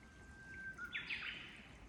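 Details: Japanese bush warbler singing in a rainy forest at Oyamada Ryokuchi, Tokyo, in late April 2022: one long steady whistled note, then a quick bright flourish jumping higher, over soft patter of rain and a low background hum.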